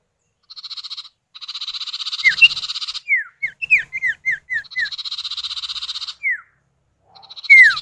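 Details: Common iora male and female answering each other, used as a lure to get other birds calling: buzzy pulsed rattles alternating with a rhythmic run of short, falling whistled notes, ending in a loud downslur.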